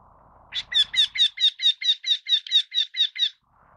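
Eurasian wryneck giving a fast run of about thirteen nasal, ringing 'quee' notes, evenly spaced over three seconds, over a faint low hum.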